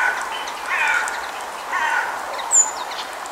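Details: A Brambling near Almaty, Kazakhstan gives two drawn-out, wheezy, nasal notes about a second apart, then one thin, sharp, high note. Soft background hiss throughout.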